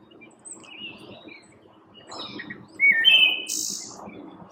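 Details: A Wood Thrush sings one clear, fluty phrase ending in a high, shimmering trill, with faint chirps from other birds behind, one morning in May during spring migration at Mount Auburn Cemetery, Cambridge, Massachusetts.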